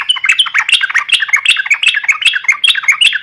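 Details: Yellow-vented bulbul singing in the chattering 'gacor garuda' style, used as a lure to get other bulbuls singing: rapid, bubbly, liquid phrases of short rising and falling notes, delivered nonstop in a clean recording.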